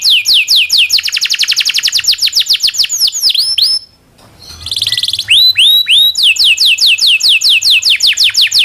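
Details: Long rolling song of a local canary, kept as tutor song for shamas, magpie robins and leafbirds: fast series of descending whistled notes, a brief pause midway, then more quick sweeping rolls.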